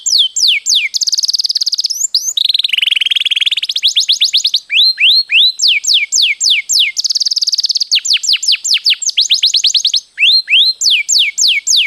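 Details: A canary sings energetically in a long roll, recorded as a master for training: alternating fast buzzy trills and tours of steep downward whistled sweeps, switching phrase types every second or two with barely a pause.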